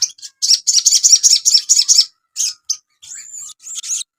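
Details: Master recording for training cage birds: a caged Asian pied starling delivers a fast, rattling series of high buzzy notes, about two seconds long, then scattered chirps and a drawn-out, whistled note.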